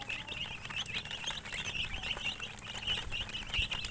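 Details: Coloured chickens producing a busy chorus of short, high, wavering peeps that repeat without pause, with light tapping and low background rumble.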